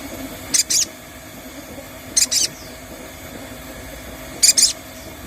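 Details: Sogon, or crested jay, recorded as a lure to prompt singing and ngalas style: three separate pairs of short, harsh, high-pitched buzzy notes, roughly two seconds apart, over quiet background hiss.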